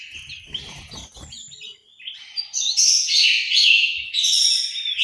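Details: In a Malang, East Java aviary, an orange-headed thrush sings quieter whistles among low rattling knocks, then swells into a loud, rich, buzzy-edged warble for the second half.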